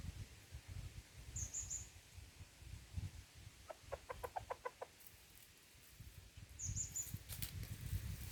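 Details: Red junglefowl at Lamteuba, Aceh, during trapping with a decoy: a quick run of about seven short, sharp clucks in a burst, over low rumbling background noise, with brief high thin whistles from another bird before and after.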